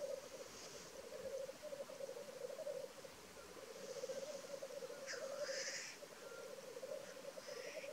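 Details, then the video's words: Black grouse displaying at a North Wales lek, 12 May 2023: an unbroken low rolling bubbling chorus carries the whole recording, punctuated by about four sharp hissing sneeze calls, one especially loud near the middle. "Black Grouse lek"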